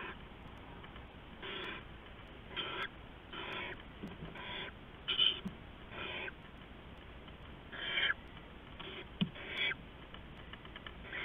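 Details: Owlets at night receiving rats from an adult, recorded before dawn on 15 November 2015: broad, breathy hissing bursts, each about half a second long, repeat irregularly about once a second over a steady background hum.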